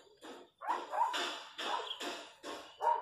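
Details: Wild chachalacas in the countryside giving harsh, raspy, broadband calls in rhythmic bursts, about two per second after a short opening note, with a louder final burst.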